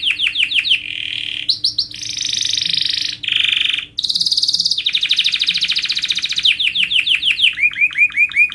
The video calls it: Canary Mastering Sound for Bird Singing Contest